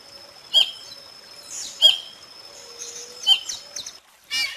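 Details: Whistling heron (Syrigma sibilatrix) of South America giving three short, high, clear whistles about a second and a half apart, with a faint steady high hum and a soft rustle at the end.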